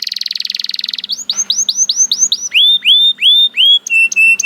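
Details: Canary song starting with a fast even trill of about two dozen notes, then a series of loud upswept whistles and several flat, sustained whistled notes.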